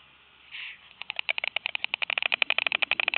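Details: A white stork clatters its bill as a mating ritual after the pair's fourth egg is laid: a rapid, hollow, wooden rattle of about ten clicks a second, speeding up slightly, after a short rustle.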